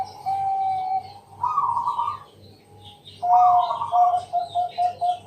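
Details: Zebra dove, a Bangkok-type bird, singing at night as a lure to set other doves singing: mellow cooing phrases, each ending in a clear drawn-out coo, with a low throbbing hum and faint chirps from other birds behind.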